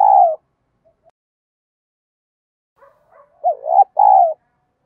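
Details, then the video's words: Spotted dove (cu gáy) in 'giọng đồng' voice, a coo used for training decoy doves: a falling coo ends one phrase, a few faint murmured notes follow, then a clear dipping coo and a sustained hoot. "cu gáy giọng đồng. thúc gù, tiếng gáy gọi, giúp anh em tập mồi và bổi hiệu quả nhất hiện nay"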